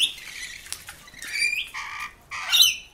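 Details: Rainbow lorikeets competing and getting frisky at a bird bath in dry Sydney weather, giving harsh, buzzy screeches in bursts, some rising sharply, loudest near the end.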